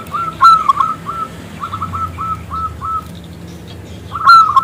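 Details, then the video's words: Local zebra dove with a big, crystal-clear voice, calling to a male to get it singing: a loud opening coo burst, then a string of softer evenly spaced coo notes, and another loud burst at the end. "PERKUTUT lokal Gacor Suara BESAR Kristal Memanggil JANTAN ngajak BUNYI"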